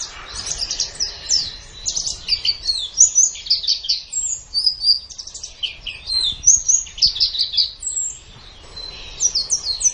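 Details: White-eye (pleci), in a 'gacor' masteran recording made to train songbirds: a dense, high twittering warble of quick rising and falling chirps, nearly continuous for ten seconds with brief pauses near the eighth second.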